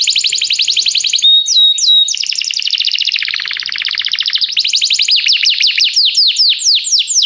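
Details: Canary singing to call another canary into song, recorded as song training: dense fast trills and rolling tours in varied pitch, a few clear whistled slurs, ending in a run of quick repeated downward-sweeping notes.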